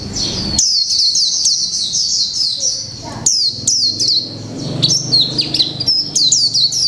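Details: A caged mộc tinh white-eye, one month in the cage, pours out 'líu pha chòe trống' song: long strings of rapid high, downward-sweeping chips and warbled whistles, briefly pausing midway.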